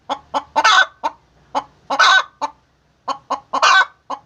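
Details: Egg-laying hen giving a rhythmic cackle of short sharp clucks, two or three quick notes then a longer raspy squawk, the pattern repeating about three times, with no other sounds heard.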